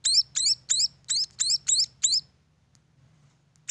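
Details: Munia chicks from a bird farm: seven sharp, very high chirps in quick succession over about two seconds, a pause of over a second, then one more chirp, above a faint low hum.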